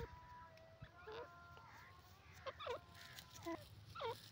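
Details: Grey francolin giving repeated sharp, looping two-part notes over a steady tonal hum and low background rumble.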